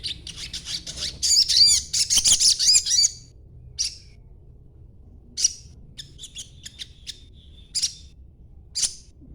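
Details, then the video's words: Green young crimson sunbird chattering, played to lure other birds into replying; a three-second burst of fast high twitters, then single sharp chips every second or so with short thin notes between. "sogon muda ijoan ngriwik coba dengarkan ocehanya pasti nyaut bunyi sogonmu"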